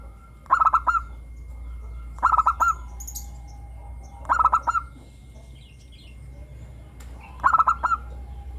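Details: Vigorous local zebra dove with a crystal-clear song, used to stimulate captive doves to sing. Four short, bubbling coo phrases repeat steadily, roughly every one and a half to two seconds, over low background hum.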